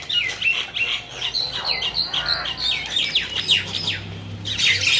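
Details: Common mynas scuffling near Dhaka, Bangladesh: a busy run of sharp downslurred chirps and squawks, several birds overlapping, with a low hum underneath and a loud burst at the end.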